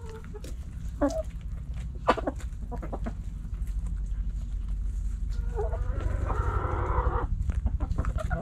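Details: Backyard hens and roosters pecking and scratching; scattered short clucks and scratching clicks, then a long harsh drawn-out rooster crow across the middle, over constant low background rumble.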